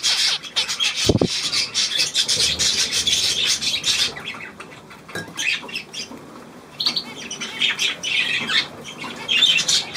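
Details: Budgerigars, 9 February 2024, giving busy high-pitched scratchy chatter in bursts, broken by a loud thump near the start and a quieter stretch in the middle, with faint wing flutters.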